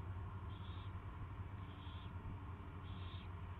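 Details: First feeding of an owl on 24 February 2016, 2:15 PM: three drawn-out, hissing screeches about a second and a quarter apart, layered over a steady low mechanical hum.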